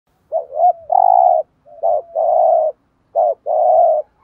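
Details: Decoy spotted dove cooing in the thúc gù style to provoke rival males: three quick phrases, each a pair of short rising notes followed by a long, steady low coo, spaced about a second and a half apart.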